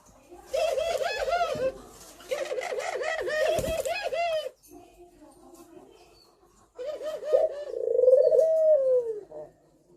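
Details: Spotted dove giving thổ pháp style cooing meant to provoke males and females; rapid bursts of soft rounded coos, then a gap, then a longer rolling phrase ending in a drawn-out falling note, indoors.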